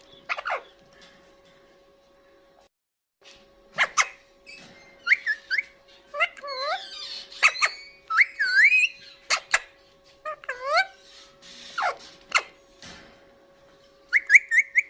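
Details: Pet Indian ringneck parakeet vocalizing while eating green chili, mixing short harsh squawks with looping, wavering whistled phrases and clicks over about fifteen seconds, with brief quiet gaps between bursts.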